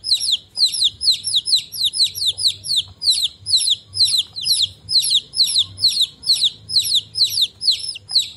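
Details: Several chicks cheep steadily, their sharp, high-pitched peeps each dropping in pitch and coming in quick regular bursts of about two per second against a quiet background.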